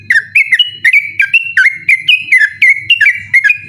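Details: Yellow-vented bulbul in 'ropel' night song, persistent, intended to tutor birds that compete at night: evenly spaced bright whistles about four per second, each bending down and up, with a faint low hum.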